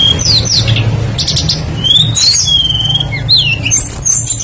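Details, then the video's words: Lure song of a tledekan, a blue flycatcher, singing hard with many varied phrases: dense high whistles, upslurs and downslurs run together, over a loud low droning background. "PANCINGAN BURUNG TLEDEKAN PASTOL GACOR FULL ISIAN LANGSUNG IKUT BUNYI"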